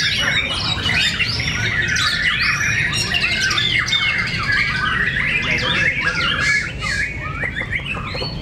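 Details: White-rumped shamas battle in song at a fighting contest in Cibinong. Fast, scratchy, squawky phrases mix with clear whistles and rapid repeated notes, continuous and loud, before easing slightly toward the end.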